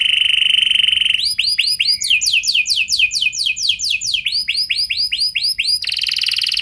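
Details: A canary sings a lure song, 'cengkok mewah' style with long 'nembak' phrases, meant to set other canaries singing. A steady held whistle opens, followed by upswept notes and a fast falling roll, ending on a bright trill.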